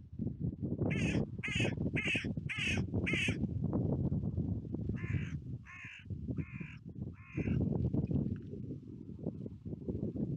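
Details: Carrion crows on a UK clifftop seafront, wild birds gathering as they are fed; a run of five harsh caws about half a second apart, then four more spaced caws, over loud low wind and surf rumble.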